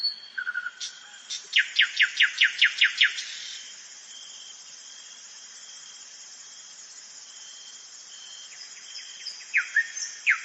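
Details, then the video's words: Common nightingale singing at night in a forest: a few clipped notes, then a fast run of about eight sharp repeated notes, a pause with a steady high whine in the background, and a couple of final strokes. "СОЛОВЕЙ. НОЧНОЕ ПЕНИЕ СОЛОВЬЯ В ЛЕСУ."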